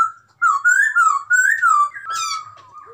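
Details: Chinese hwamei in vigorous song; a flowing, wavering whistle that undulates up and down in connected loud phrases, followed by a softer sustained tone and a brief harsher note.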